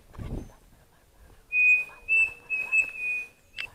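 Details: Pavonine cuckoo (Dromococcyx pavoninus) on a foggy morning in the Mato da Capela woods, Bozano, Rio Grande do Sul, Brazil: a clear, high whistled series of four steady notes, the first long and the rest shorter, after a low thump.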